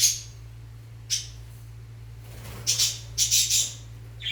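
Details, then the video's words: Fischer's lovebirds during mating and nest preparation, giving sharp, harsh high squawks: one at the start, another near one second, then a dense cluster of rasping calls over the last two seconds, over a steady low hum. "تزاوج طيور الروز (الفيشر) .. طيور الحب Love Birds"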